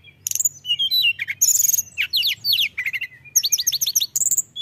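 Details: Mountain tailorbird singing energetically, a dense, fast stream of very high thin whistles, sharp downslurred notes and trilled bursts with barely a break across the phrase.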